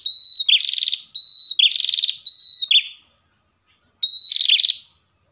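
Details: Ashy tailorbird pair singing: closely spaced phrases mixing a held high whistle with throbbing buzzy trills, then a silent gap and one more phrase.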